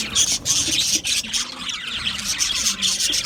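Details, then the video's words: Budgie flock chatter, rapid harsh squawks and high whistled chirps in quick bursts, barely a gap between them. "Budgie Parrots Chirping sounds"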